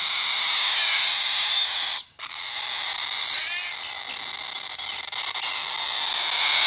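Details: A blue-eyed cockatoo chick gives a long-breathed, harsh, rasping, wheezy begging cry, nearly continuous with one brief pause and a few rising squeaky notes.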